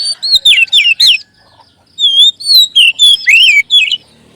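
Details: Lure song of a magpie robin, meant to get adult and speckled young magpie robins singing: fast sequences of clear slurred whistles, some rising and some falling, in two phrases with a short gap.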